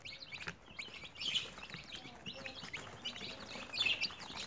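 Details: Caged newly hatched chicks being raised at home, peeping in high, piercing bursts that swell louder near the start and end, many tiny voices overlapping.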